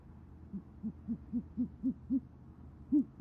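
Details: Female great horned owl calling the male to the nest in Oklahoma City, 28 January 2014, evening, answered by him. A quick series of short, low hoots, spaced about a quarter second apart, rising slightly in loudness.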